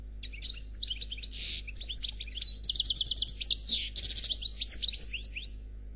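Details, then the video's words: Flawless khalwi song from a 'noir' European goldfinch: sparkling, varied twittering with short whistles, two harsh buzzy bursts and a fast chattering trill in the middle. "Chardonneret Noir Khalwi Chant sans fautes"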